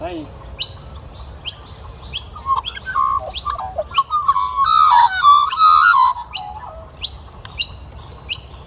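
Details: Young magpies, caught in the rain with wet feathers, at a morning feeding; rich fluting, warbled notes rise and fall in the middle, amid a steady run of short, high, repeated chirps and light background noise.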